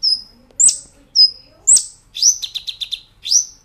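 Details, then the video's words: Brown-throated sunbird singing on a training master recording: thin level whistles and sharp descending chips, then a quick run of rapid repeated notes before another swept chip. "Masteran Kolibri Ninja Gacor Nembak Ngerol"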